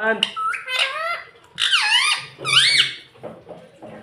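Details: Pet ringneck parrot, green, talking indoors, saying "mummy papa"; squeaky, speech-like phrases with sliding rising and falling notes in short bursts, plus a few sharp squeaks, in a small room.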